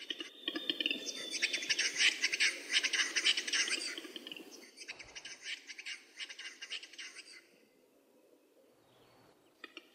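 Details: Western capercaillie displaying at a lek during courtship, filmed in the early 2000s: dense bursts of dry, scraping broadband clicks pour out for about four seconds, break briefly, then resume more softly, with a thin steady whistle from another bird behind.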